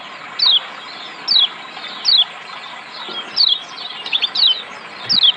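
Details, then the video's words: Lombok white-eye therapy recording: thin, piercing chirps sliding downward, given roughly every second, with a short cluster of quick notes near the end. "terapi Kecial kuning ampuh bikin Kecial kuning malas Bunyi jadi gacor"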